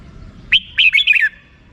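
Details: A single crisp rik-style phrase from a red-whiskered bulbul: a sharp opening note followed by a fast tumble of slurred whistles that falls in pitch at the end.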